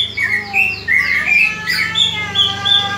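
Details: Greater green leafbird calling aggressively to train other leafbirds' fighting mentality: short clear whistled phrases and chirps repeated over a low steady hum.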